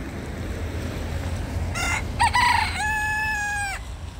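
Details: Free-roaming rooster in a littered forest at Alphen aan den Rijn, Netherlands, crowing: short rough opening notes, then one long, steady, harmonic-rich crow lasting about a second, over a constant low rumble of background noise.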